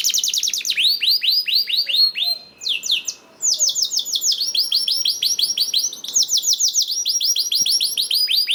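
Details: Canary singing to prompt other canaries to sing: long runs of rapid hooked rising notes, a brief pause, then sustained rolled trills at high pitch.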